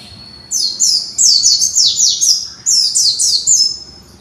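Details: Young white-eye in conservation care working out its song: two fast runs of very high, downward-sweeping chirps, about five notes each, bright and thin.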